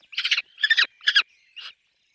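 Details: At a peregrine falcon nest with chicks, four grating, scratchy squawks sound in a short run. The last one is softer and shorter.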